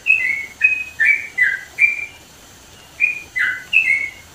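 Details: Loud song of a sooty-headed bulbul from mountain country in East Java: clear liquid whistles, each note sliding down, delivered in quick bursts with a short pause midway.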